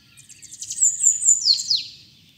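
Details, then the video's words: Singing bananaquit, 'trica ferro' style, calling 'pitxiu pitxiu': a rapid, sibilant series of very high notes rising in loudness, ending in two or three steeply falling slurred whistles, with a low murmur beneath. "SIBITE TRICA FERRO CANTANDO PITXIU PITXIU"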